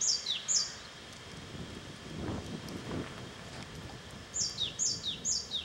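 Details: Japanese tit singing in the mountains of Kanagawa, Japan, on 28 May 2010; high, thin two-note phrases, each sliding downward, repeated rapidly in short bursts at the start and end, with a low rumbling background between.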